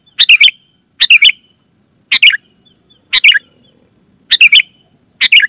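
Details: Loud Sooty-headed bulbul notes used to attract and stir other bulbuls: grouped triple chirps, sharp and bright, spaced about a second apart in otherwise quiet surroundings.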